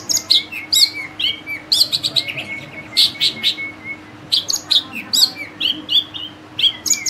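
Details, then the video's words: Captive long-tailed shrike, trained with mimicked song; it was once very vocal and tame but sings less now from reduced care. It gives a busy, varied stream of high chirps, sharp whistles and short trills in quick bursts over a faint low hum. "BURUNG CENDET/PENTET FULL MASTERAN,GACOR"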